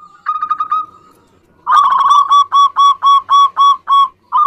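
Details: Zebra dove song used to coax quiet doves into answering: a soft, trilled burst of notes, a pause, then a loud series of rounded, steady-pitched coos spaced about a quarter second apart.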